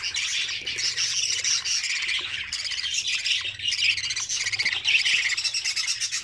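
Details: Nestling budgerigars in their nest, being fed and feeding each other, produce a steady wall of high, scratchy chattering and squeaky chirps, many voices overlapping throughout.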